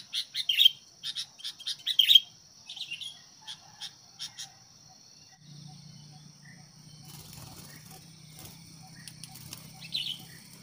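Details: Sooty-headed bulbul used as a decoy bird to provoke fights with wild birds: bursts of bright chirpy notes over the first two seconds, then softer scattered chirps, against a steady high insect drone and a low hum.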